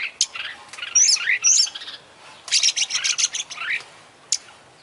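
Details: Oriental magpie-robin, an international champion bird, singing actively with a full mimicry-laden repertoire: bright chirps and quick whistled slurs in bursts, with a sharp note near the end after a quiet pause.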